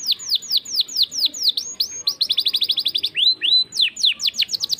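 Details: Canary singing continuously in a rich, ornamented style. Fast, clear, descending whistled notes repeat in tight rolls and speed into a rapid trill midway, then give way to looping upward-and-down slurs and more sweeping whistles.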